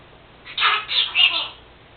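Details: Pet female Senegal parrot indoors, talking and known to mimic her owner's sneezing; three hoarse, speech-like bursts in quick succession, loudest at the end, over a quiet room hum.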